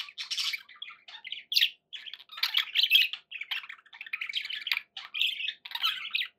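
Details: Pet budgerigars warbling indoors, a rapid mix of twittering chirps, rasping notes and squeaky whistles in overlapping bursts with few pauses.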